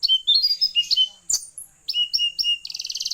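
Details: Blue-eared kingfisher, local name tledekan laut, in varied active song: mixed high whistled slurs and chirps, a sharp click, three clear downslurred whistles, then a rapid buzzy trill of high notes.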